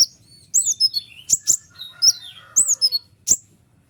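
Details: Tutor song of a white-winged triller, said to provoke other trillers into answering: high, bright chirps sliding downward, separated by sharp clicks, delivered in short irregular phrases.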